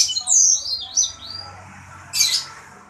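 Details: Sanger bird in active song (gacor): high looping whistles and falling slurs, a brief quiet stretch, then a loud harsh crackling burst.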